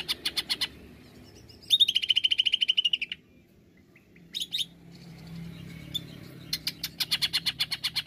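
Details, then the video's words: Greater green leafbird singing in 'nembak' style as a lure: short pulsed bursts open, followed by a long fast buzzing trill of over a second, scattered high notes, then a final run of rapid chattering pulses. "Pancingan AMPUH Cucak ijo nembak"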